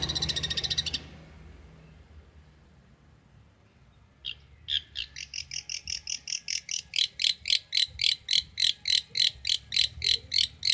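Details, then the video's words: Champion long-tailed shrike from Banyuwangi, recorded as training song for other shrikes: after a short burst and a pause, fast, evenly repeated high buzzy notes build steadily in loudness, about four per second. "MASTERAN CENDET JUARA"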